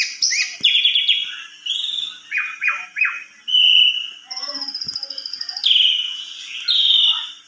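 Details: Asian pied starling singing melodiously: buzzy notes, short downward-slurred whistles, a steady, high, rattling trill, then drawn-out buzzy phrases.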